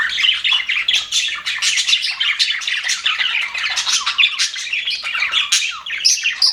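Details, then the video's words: Happy budgerigars in an aviary, several birds chirping and warbling together in a dense, continuous chatter of scratchy, twittering notes, with buzzy squawks overlapping throughout. "HAPPY BUDGIES SOUNDS"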